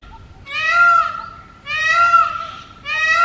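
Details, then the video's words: Loud calls from a wild male Indian peafowl on a rooftop in the early morning: three bright, harmonic-rich wailing cries, each about a second long with a quick rise, spaced near 1.2 seconds apart. "Loudest Peacock Ever - Wild Peacock Calling Sound. Mor ki awaaz"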